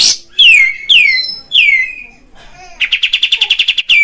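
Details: Olive-winged bulbul (kapas tembak, Padang type) lure song: three loud whistles sliding downward, a soft pause, then a rapid run of about ten chattering notes.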